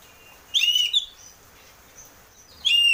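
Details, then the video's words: Oriental magpie-robin in the ngeplong lure style for getting a caged bird singing: two loud, clean whistled phrases about two seconds apart, each a held note with a bright upper edge, silence between. "pancingan burung kacer ngeplong biar cepat mau bunyi dan gacor"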